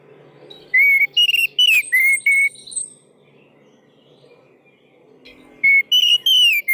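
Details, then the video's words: Orange-headed thrush lure song to prompt silent birds to sing: clear, pure whistled phrases, some rising and some falling, loud and slightly distorted, separated by a long quiet gap. "Suara Pancingan Anis Merah Macet"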